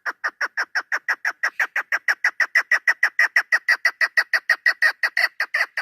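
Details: Female chukar partridge kept as a hunting bird, recorded 3 May 2025, giving a fast, steady series of harsh clucking chuk notes, about three per second, some thirty in a row, each rising slightly and getting louder towards the end.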